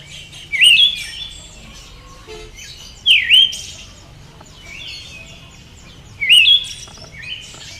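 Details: Calls of a female Siberian thrush: brief high looping whistles trailing into a thin buzz, repeated roughly every three seconds, four notes heard against a faint low rumble.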